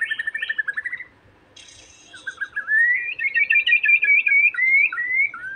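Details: White-rumped shama song used to rouse another shama's emotions and make it sing: rapid repeated chattering notes, a brief high hissy burst, then a long run of loud, clear whistled notes with slurred rising and falling phrases.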